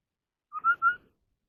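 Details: Competitive song of a Chinese hwamei: a brief pure whistled phrase of three steady notes at even pitch, clean and loud, with no other sounds.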